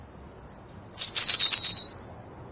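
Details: Sunda blue robin, endemic to Java and Sumatra, on a songbird tutor recording: a single thin high note, then a dense high-pitched trilling phrase of about one second.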